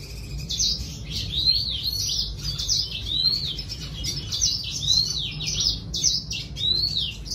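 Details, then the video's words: Red siskin in steady song: a run of high, rapid twitters and rising-then-falling whistled notes continuing throughout, over a soft low hum. "Redsiskin sing a song"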